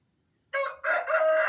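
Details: An Aseel rooster starts its dawn wake-up call around 4:30 am, with loud, rough rising crow phrases bursting in after a quiet moment filled only by faint pulsing crickets.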